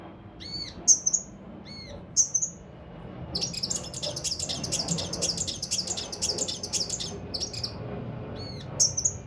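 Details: Mountain leaf warbler (cucak rante mas) used as tutor song for competition birds: sharp high notes and curled whistles, then a long dense scratchy chatter, over a steady low background hum.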